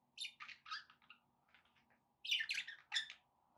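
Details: Pet parakeets give quick scratchy chirps and squawky warbles in two clusters, over a low steady background hum.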